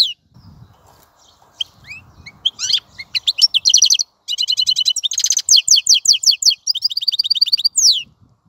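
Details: European goldfinch starting with scattered soft chirps, then breaking into a continuous fast song of tinkling twitters, buzzy trills and rattles for about five seconds.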